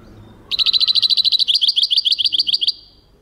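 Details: European goldfinch song: a fast, even trill of bright, high twittering notes, about twenty-five in just over two seconds, shifting to slightly sharper, more tinkling notes midway before stopping abruptly; quiet background.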